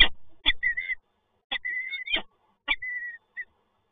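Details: Visiting pair of peregrine falcons in Toruń, Poland, 12 November 2022: three groups of sharp clicking bursts, each followed by a thin whining note that rises slightly, with silent pauses between.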